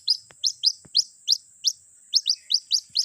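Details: White-breasted waterhen chick's call to its mother, played to lure birds: evenly spaced bright upward-slurred peeps, about four per second, over a faint steady electronic whine.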